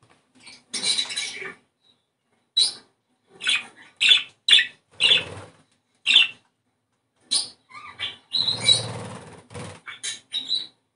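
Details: Budgerigar chatter meant to bring birds into breeding condition. Bursts of sharp, high, buzzy chirps come in scattered groups separated by silences, and one rougher, lower-textured burst sits near the end.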